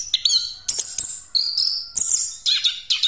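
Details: Orange-headed thrush singing without break in 'ngeroll' style, a lure for other birds: bright high whistles and sweeping slurs broken by short clicking bursts about every half second.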